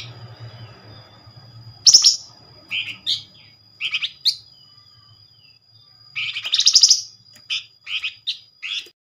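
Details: Flamboyan bird calling as a lure to provoke replies: a loud buzzy burst, then a run of short separate high chips, another loud chattering burst and more clipped notes, with a thin steady high tone.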